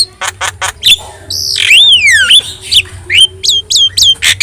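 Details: Vocal Javan myna with yellow eyes: quick clicks and squawks, then a long swooping whistle that dips and rises, followed by crisp repeated upslurred whistles.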